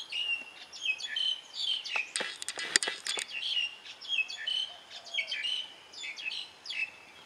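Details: Morning birdsong at Boonrod Farm in Mae Suai, Chiang Rai, Thailand: high whistled notes repeated about twice a second over layered twittering, with a short burst of sharp crackling chirps partway through.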